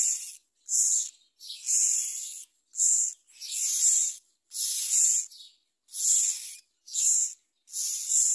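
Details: Myna nestling fed a big blue caterpillar by an adult: a steady run of harsh, breathy rasping bursts, roughly one per second, about nine in total.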